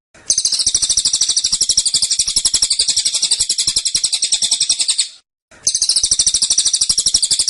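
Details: A cililin kept in a cage delivers a tight, insistent tembakan: shrill, rapidly repeated notes in a five-second run, a brief gap, then the same pulsing burst again.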